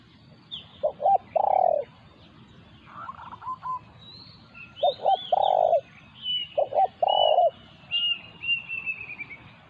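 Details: Spotted dove calls during a territorial encounter with a wild resident bird near a decoy. Several hoarse double notes and longer coos are heard, while other small birds chirp and whistle in a higher, busier layer.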